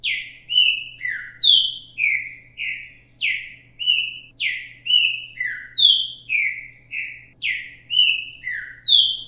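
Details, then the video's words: Green-winged saltator (trinca-ferro) singing the repetidor mateiro song style, recorded live for teaching young birds; loud, rich whistled notes in short slurred, falling phrases, given nonstop about every two seconds over a faint steady low hum. "Trinca ferro repetidor mateiro cantando"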